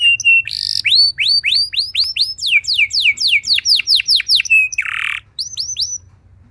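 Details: Canary singing to prompt other canaries into song: long series of loud downward-sweeping whistled notes repeated several per second, broken by a brief harsh buzzy trill, then more sweeping notes; faint low hum beneath.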